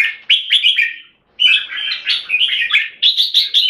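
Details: Singapore-kept caged red-whiskered bulbul delivering clear 'keke' and song: a burst of bubbly whistles, a silent gap of about a quarter second, then a busy stream of chattering notes ending in quick repeated chirps.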